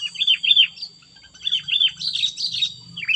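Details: Sooty-headed bulbul in fierce 'cengkram' style, a continuous string of slurred, down-curving whistled notes, repeated in quick pairs and trios, rising to higher chattering notes, with a faint low hum and a steady high tone behind.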